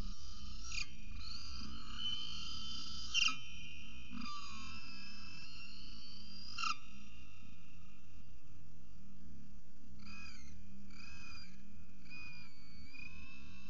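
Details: Peregrine falcon returning home at Orange CSU, 27 November 2019, honking: nasal, harmonic calls, several drawn-out ones in the first seven seconds, then a run of shorter, rising notes near the end, over a steady low hum.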